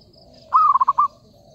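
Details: One stuttering coo of a zebra dove, used as a trapping lure. A held opening tone runs into four or five evenly spaced, clipped notes, all at the same middle pitch, against quiet background.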